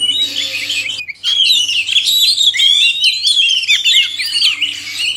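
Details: Male and female oriental magpie-robins singing, meant to rouse silent captive birds; after a short gap, a continuous stream of fluted whistles and quick warbling notes, faint steady hum in the background.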